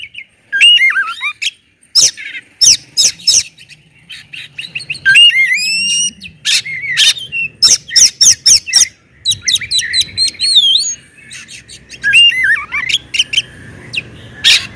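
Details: Oriental magpie-robin (kacer) singing loudly in the open 'ngeplong' style meant to provoke other magpie-robins into singing: varied bright whistles sliding up and down, sharp clicking notes and quick bursts of repeated chips, with short pauses between phrases.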